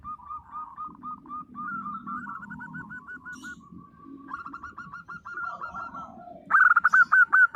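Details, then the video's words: Several local zebra doves cooing: soft trains of quick staccato notes fill most of the recording before a loud, bubbly, rapid coo phrase from a nearby bird closes it. "perkutut lokal gacor _suara nembak perkutut lokal bisu_"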